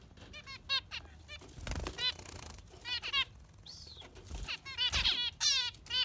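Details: Yellow finch singing scattered chirps and buzzy trills among soft fluttering and rustling sounds, with a slurred whistle and a closing burst of harsh chatter.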